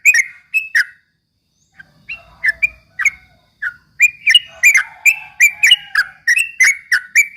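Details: Yellow-vented bulbul ropel chatter for provoking opponents: a few chirps, a short silence, then an accelerating burst of dense chirping notes in a clean, quiet setting.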